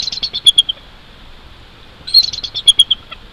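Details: Early morning at a bald eagle nest high in a Jeffrey pine at Big Bear Lake, California, 22 January 2023: two bursts of shrill, piping, staccato chirps, each a rapid run of notes that slows toward its end.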